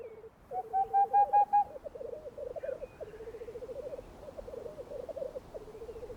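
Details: Black grouse giving its spring mating call in the Alps, a low, bubbling, dove-like rookooing in steady rolling phrases, opening with a few louder tonal notes.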